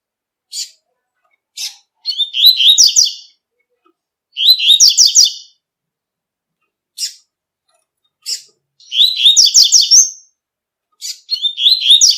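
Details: Double-collared seedeater singing tui-tui song in nature, several high buzzy warbled phrases about every two to three seconds, interspersed with short single sharp chip notes.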